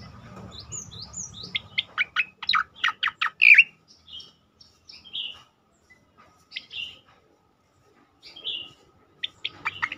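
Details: Striated grassbird song in bursting style, for training other songbirds and drawing them into song: a quick run of sharp chips and whistles, then sparser slurred notes and isolated high strokes after a pause.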